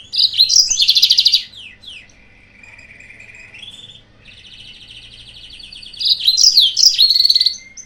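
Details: A yellow-fronted canary sings as a lure for rival birds: a loud rattling phrase with sweeping notes opens, then softer held trills, and the loud rattle returns near the end.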